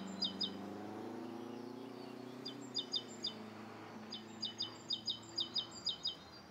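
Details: Rose-coloured starling recorded one morning in Bishopston, Bristol, late November 2014; high clipped chirps given in doubled notes and quick runs, faint against constant low background rumble.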